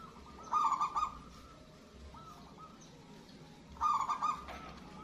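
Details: Zebra dove of local stock, a strong caller used as a master bird to provoke lazy or newly caught doves into calling. Two separate rapid, warbling coo phrases, each about half a second, separated by quiet pauses.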